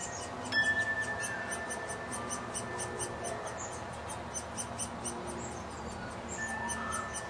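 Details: Hungry young woodpecker being fed at a bird house on a front patio, where it returns every night; rapid, thin, high squeaky chirps repeated steadily about three times a second throughout, with a short steady whistle-like tone near the start.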